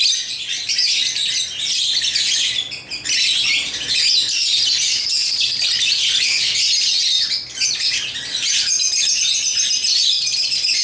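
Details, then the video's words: Continuous shrill twittering from African lovebirds kept as pets and playing with toys, the chatter easing slightly near three and eight seconds. "Love birds chirping & playing toys"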